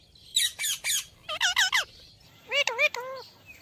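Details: Ringneck parrot: three quick high screeches, then a run of four rasping descending calls, then three lower, wavering nasal notes, all within a few seconds.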